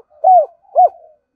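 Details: Spotted dove decoy calling: two mellow arched hoots about half a second apart, smooth and falling at the end.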